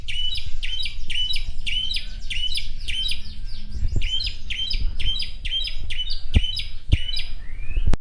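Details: Morning song of an Asian pied starling, delivered energetically: quick runs of repeated sharp chirps, evenly spaced, with a brief pause near the middle, a few clicks late on, and a steady low background hum.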